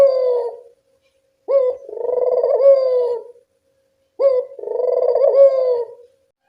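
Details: Clean evening cooing of a Barbary dove, used as a lure for reluctant callers: two rolling phrases, each a short sharp note followed by a long throaty trill, separated by quiet gaps.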